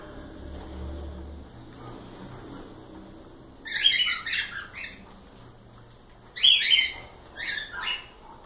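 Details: Pet cockatiels squawking after a quiet start with low room noise, two clusters of rapid harsh chirps in the second half.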